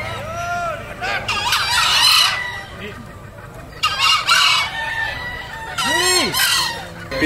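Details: Several green junglefowl at a crowing competition in Bangkalan, Madura, on 24 October 2021 give short, hoarse, two-part crows in overlapping bursts every few seconds, with brief human voices in the background.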